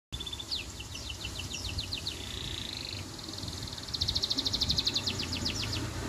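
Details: Canary song, loud and continuous: a high whistled note, then rapid series of downward-sweeping chirps, a sustained trill, and fast repeated rattling notes, with steady low background noise.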